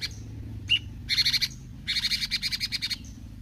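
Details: Bulbul gacor in besetan style: a sharp whistle, then two quick runs of buzzy, evenly pulsed notes, with faint high calls around them.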